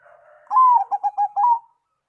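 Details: Zebra dove singing a song other doves respond to: after soft low murmuring, a long gliding coo, a quick run of four clipped coos, and a final sustained note, clear and close.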